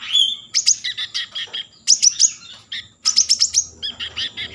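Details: Common iora singing to stimulate breeding mood: three bursts of high, sharp chirped notes mixed with short whistles and descending slurs, each burst about a second long with short gaps between.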